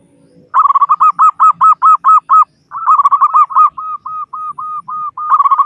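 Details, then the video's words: Local zebra dove singing loudly as a lure to prompt other caged doves to sing quickly. Fast series of clipped, resonant cooing notes in quick bursts, slowing into longer evenly spaced coos before another rapid run. "Perkutut Lokal Gacor Suara Besar Pancingan Burung Perkutut Agar Cepat Bunyi"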